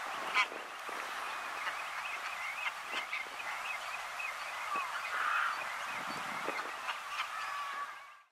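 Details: Greylag geese of the nominate subspecies Anser anser anser, recorded at Blönduós, Iceland, in June 2019: a continuous chorus of overlapping nasal honking calls with steady background hiss, fading out at the end.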